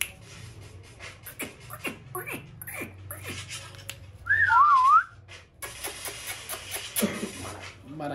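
A ring-necked parakeet gives one loud, wavering whistle lasting under a second, sliding up and down, over low household noise and bits of human speech.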